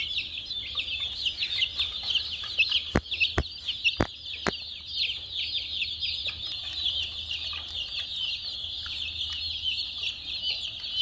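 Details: Many chicks chirping continuously in a dense, high-pitched chorus of overlapping peeps, with a few sharp clicks or knocks in the middle and a low steady hum underneath.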